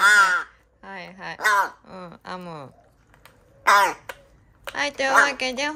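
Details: A rescued young large-billed crow, filmed 13 Aug 2022, gives nasal, rasping, harmonic begging calls in short uneven bursts while eating. Some calls are drawn out and wavering, with occasional human voice nearby.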